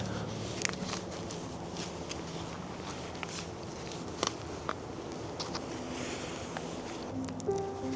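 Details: Soft footsteps and scattered taps over a low, steady background hum, with no clear animal voice.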